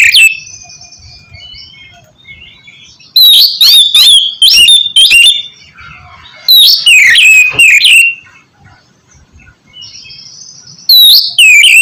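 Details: Oriental magpie-robin singing in a kept setting, used to encourage a silent bird: bursts of loud whistled and buzzy phrases in clusters separated by quieter gaps with soft warbling.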